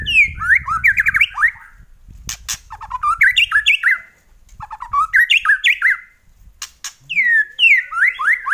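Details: White-rumped shama kretekan song: loud rapid phrases of looping whistled notes that rise and fall, repeated in bursts, separated by sharp crackling clicks and short pauses.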